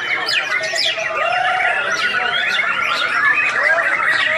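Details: Champion competition white-rumped shama from Singkawang in full song: a dense run of quick whistled sweeps and twittering slurs, rising and falling without pause, layered with overlapping chirps and a bright rattling trill near the end.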